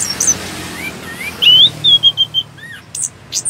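Orange-headed thrush singing a varied run of clear rising whistles, then a quick series of bright repeated notes and sharp high chips.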